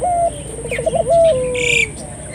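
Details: Dove known locally as puter, recorded to stimulate local doves into calling: a low, soft coo with a wavering trill in the middle, accompanied by a brief higher whistle and a steady high-pitched background tone.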